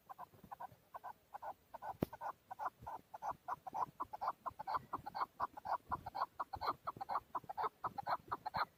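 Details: Excited male chukar partridge in Darvoz, Tajikistan, 2020, giving a long rapid run of harsh clucking chuk notes, about two per second, steady and unbroken over a faint background hiss.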